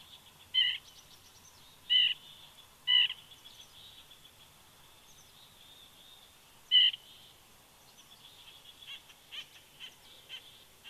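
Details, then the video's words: Woodpecker calling close to an eagle nest at Big Bear on the morning of 14 September 2019: four sharp, high, clipped call notes, irregularly spaced, over a steady high hiss with faint chirps near the end. "Woodpecker Vocals"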